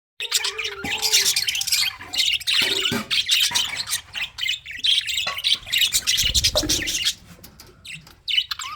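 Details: Budgerigars in a breeding colony, a dense chorus of high, scratchy chirps and squawks in quick irregular bursts, with brief quieter pauses and a low rumble near the end.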